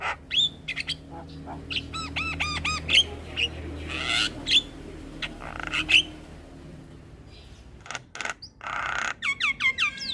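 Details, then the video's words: Morning song of a Javan myna meant for young mynas to copy: scattered clicks and whistles, fast bursts of stacked chattering notes, quieter gaps, and a whistled trill near the end. "Suara Kicauan jalak Kebo P{agi Hari Bikin Burung jalak Muda cepat niru Suaranya"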